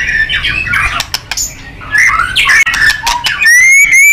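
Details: White-rumped shama singing in a full-power, fighting style for training contest birds: loud varied phrases with shifting buzzy and whistled notes, ending in a clear rising whistle repeated with sharp overtones.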